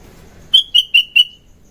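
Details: Sooty-headed bulbul, called kutilang, singing in the morning as a lure: four bright, clear chirps in quick succession, each slightly lower and trailing.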